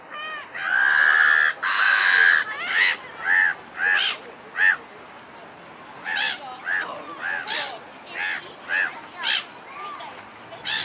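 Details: A pair of black-headed gulls strutting together and moaning in a pair-bond display outside the breeding season; two long harsh drawn-out calls, then a series of shorter nasal, harsh notes roughly every half second to second.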